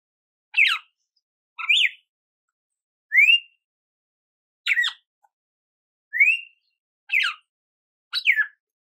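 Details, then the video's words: Red-cowled cardinal giving a lively song of separate whistled phrases, including a clean upslurred whistle and sharper falling notes, roughly every second, in clean silence. "GALO DE CAMPINA CANTO CARDEAL"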